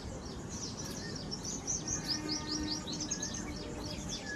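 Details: Birds in a lively chorus of high, sharp chirps and downslurred tweets, repeated about two to three times per second, with a few lower whistles beneath and steady background rumble.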